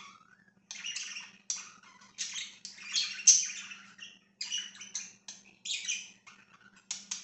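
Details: Pet budgies chirping indoors: bursts of scratchy, warbled twittering and short squeaky chirps in irregular phrases, with a steady low hum underneath throughout.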